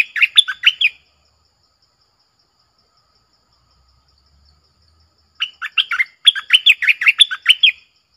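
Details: Red-whiskered bulbul singing a clear, pleasant doubled-style song. A short run of warbled whistles is followed, after a long pause, by a longer, rapid string of bright looping notes.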